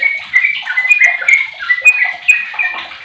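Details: Fifteen-year-old sooty-headed bulbul kept as a lure bird to set other bulbuls singing; rapid chattering, warbled phrases with bright notes in quick succession.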